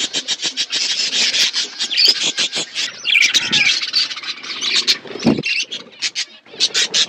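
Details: Budgerigar flock at winter food, busy overlapping chirps and rasping squawks in quick irregular bursts, with a brief soft thump midway.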